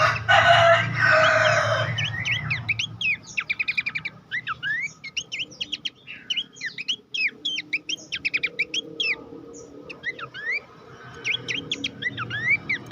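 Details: Horsfield's babbler training song for contest songbirds: a loud harsh noisy burst at the start, then steady bursts of sharp rising whistles and rapid chirps, about three or four per second.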